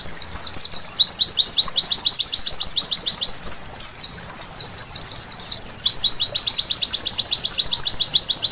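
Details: Night-time white-eye song used as therapy to make birds sing: a long, unbroken stream of quick, high descending notes, alternating between even rapid series and tangled warbling passages.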